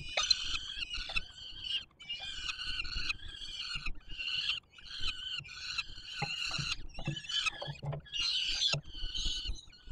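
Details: Peregrine falcon chicks on the Palace of Culture and Science in Warsaw, 7 July 2022, being fed by the adult male; harsh, wailing, harmonic-rich begging screams repeated in overlapping bursts with brief pauses, low rumbling background.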